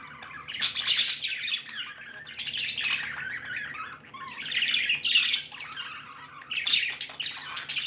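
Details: Contented pet budgies chirp in waves of bright, chattering warbles broken by brief pauses, the notes scratchy and quick.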